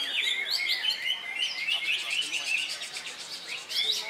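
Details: Greater Green Leafbird singing in competition in Indonesia on a Saturday just after its moult, a double winner; quick bright whistled notes and looping slurs in a rapid, unbroken stream.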